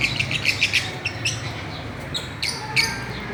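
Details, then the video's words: Playful Fischer's lovebirds on a swing, opening with a rapid series of about eight sharp high chirps, then a pause and a few further bright squeaky notes. "Parrots playing and chirping"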